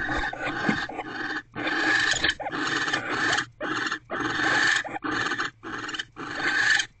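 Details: Pair of barn owls in a nest box, 25 December 2023 in the evening, mating while the female holds a rodent. Long harsh screeching bursts run almost continuously, broken by brief pauses.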